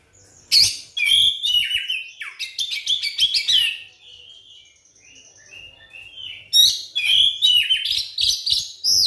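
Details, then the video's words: White-rumped shama song used to spur other shamas to sing: a loud burst of chattering and whistled notes, a softer run of thin whistles, then another vigorous outburst. "suara pancingan kacer terbukti ampuh bikin kacer macet langsung on gacor bukor"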